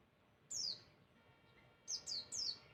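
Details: Masteran bird calls to set other birds answering: high, fast downward-sweeping chirps, one alone then three in quick succession, over a quiet background hiss.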